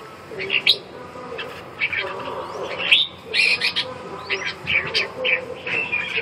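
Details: Red-whiskered bulbul with lively chattering song, a dense run of sharp whistled notes and quick slurred phrases following one another closely, against a constant low background hum.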